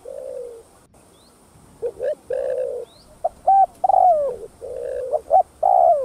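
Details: Spotted dove giving thúc gù cooing, used to get other doves to respond: a run of soft, low coo notes, some short and clipped, others drawn out and sliding downward, repeated roughly every two seconds over light background hiss.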